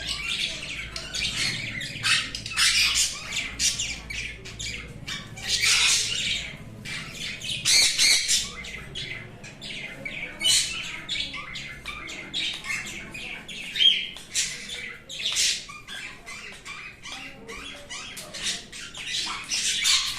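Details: A sun conure (Aratinga solstitialis) gives harsh, shrill screeches and squawks in rapid, uneven bursts.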